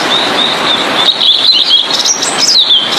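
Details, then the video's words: Blue-and-white flycatcher song for teaching other songbirds: a continuous stream of thin, high whistled notes with quick warbling turns and a brief upward flourish near the end, over constant background hiss. "Burung Sikatan Biru-Putih||TLEDEKAN Biru Gacor|cocok buat masteran"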